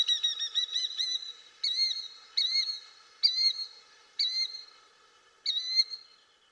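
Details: Killdeer gives its shrill, high two-syllable call, the call it is named for. A quick run of notes comes first, then single calls repeat about every second.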